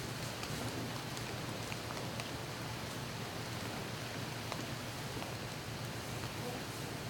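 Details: Quiet nighttime background of soft rain-like patter and low hum with occasional faint ticks, and no clear animal voices.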